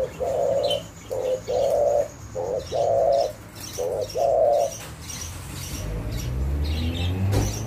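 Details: A spotted dove, locally called tekukur, gives a series of soft mellow coos, short and long notes alternating for about five seconds, then falls silent, leaving quiet background rumble.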